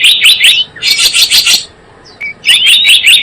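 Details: Java sparrow trapping lure: short chirping bursts, a dense clicking rattle, a brief quiet gap with one thin note, then more high chirps.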